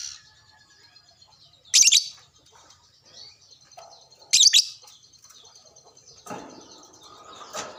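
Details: Lovebird answering another lovebird after being prompted with a bait call; a few sharp, loud screechy bursts stand out, separated by quieter high chatter and a lower rustling noise near the end.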